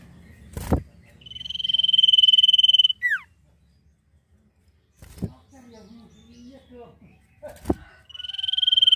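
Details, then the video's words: Common Iora (cipoh), singing nyiul style: a prolonged, quavering high whistle ends in a downward flick. Thumps and some softer chatter follow before the long whistle resumes. "CIPOH GACOR FULL NYIUL MANTUL!!"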